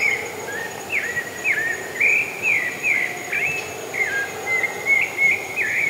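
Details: Wild pale-breasted thrush song: a long run of varied whistled phrases, sharp down-slurs and rising notes at an uneven pace, with a constant high insect buzz and hum behind.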